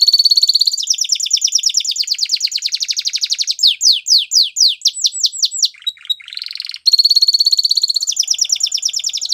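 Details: ['Singing Belgian canary delivers a long, rapid rolling trill, a series of looping descending sweeps, a brief low chatter, then resumes the fast, steady trill.']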